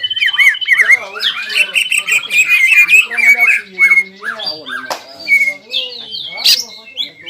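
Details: Greater green leafbird kept in a cage, emotionally roused by breeding urge, pours out ngobra and jamtrok: tumbling slurred whistles and chatters early, then spaced sharp notes and squeaks.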